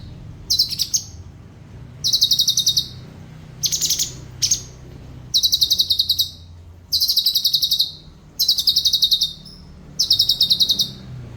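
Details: Cucak cungkok, a bird also able to mimic other birds, delivering tight rapid bursts: seven shrill pulsed trills of about a second each, spaced roughly every one and a half seconds, clean quiet background.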